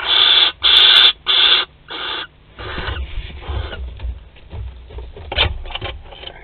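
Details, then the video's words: Théding barn owl nest on 25 May 2020, webcam footage of cuddling and mating; four strong rasping hisses in quick succession, then weaker scratchy calls mixed with rustling and shuffling at the nest. "Câlins et accouplement - 25/05/2020 - Les Chouettes Effraies de Théding"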